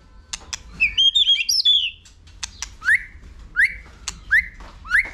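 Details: Competition-style song of a white-rumped shama meant to rouse young birds into singing: a quick warbled run of high whistles, then sharp clicks alternating with short upslurred whistled notes about every half second.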